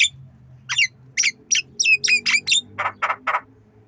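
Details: Tame black-winged myna learning to mimic coughing, giving a string of squeaky, twisting whistled notes followed by three short hoarse, cough-like rasps.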